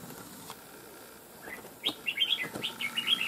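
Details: Wild-caught red-whiskered bulbul, trapped over nearly two months and kept for fighting, gives a burst of quick, bright, warbled notes rising and falling in short slurred phrases after a quiet start with faint background hiss.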